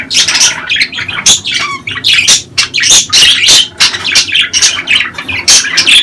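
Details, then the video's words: Budgerigars in mating season, with calls played to stimulate breeding and prompt females to lay: a dense, busy stream of sharp squawks and scratchy chirps, high and overlapping, with short whistled notes in between. "دع اناث البادجي تسمع هذه الاصوات كي تبيض بسرعة"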